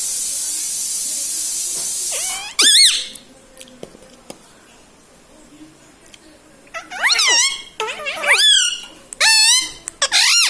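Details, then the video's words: Pet parrot saying words like "mummy" and "mithu": a loud hissy stretch, then one warbling phrase near three seconds, a quiet gap with clicks, and a burst of three or four repeated speech-like phrases. "Mummy bolo mothu || mummy ka pyara tota || bolo mithu mithu"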